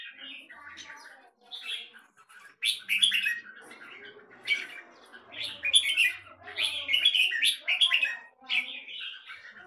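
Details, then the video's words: Red-whiskered bulbul kept as a cage bird in Singapore, giving bursts of lively chattering, warbled notes separated by short pauses, with faint low background noise. "JAMBUL สิงคโปร์เลี้ยง นกหัวจุก- LONG TERKAN KEKE JAMBUL"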